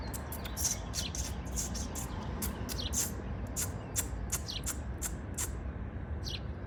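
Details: A bird sings in the morning while building its spring nest: quick, high, thin chirps repeated in a steady series over a low, constant background rumble.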